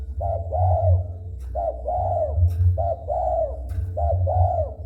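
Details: Spotted dove cooing persistently when approached: four evenly spaced pairs of a short coo and a longer arched coo, about one phrase per second, over a low background hum.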